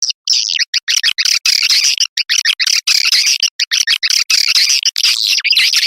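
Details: Edible-nest swiftlet lure call of the Putri Serayi style, used to attract swiftlets into nesting houses: dense bursts of high chirping, twittering notes in rapid broken clusters, busy and continuous with brief silent gaps.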